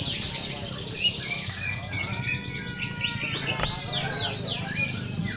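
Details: Contest canaries in full song, played to train birds for competition: overlapping rapid trills and sweeping chirps from many birds, steady whistled notes mid-clip, a sharp click, and background crowd chatter.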